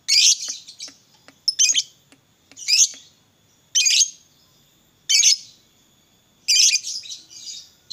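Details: Fighter lovebird singing to set off other lovebirds: loud, harsh, squeaky chirp bursts roughly every second, with some rapid doubled notes and quiet gaps between.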